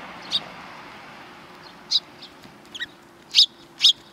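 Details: A group of sparrows coming for food at a Tenmangu shrine's front approach, 12 April 2020: loud, sharp single chirps spaced irregularly, the strongest two near the end, against a hushed background.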